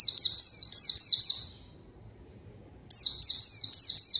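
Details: White-eye lure song, a vigorous bird calling a rival for a novice to answer and copy: a quick chain of bright, high, down-slurred chirps, then about 1.5 seconds of silence before the twittering resumes.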